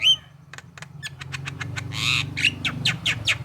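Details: Javan myna song used to coax other mynas into answering: a whistled note, then a quick series of dry clicks and a loud harsh rasping burst, over a constant low droning hum.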